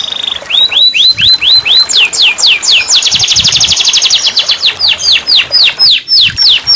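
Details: Caged canary song used as therapy to get a silent canary singing: a series of quick falling whistled notes speeding into a dense rapid trill, then slower sweeping downslurred notes repeated about four per second.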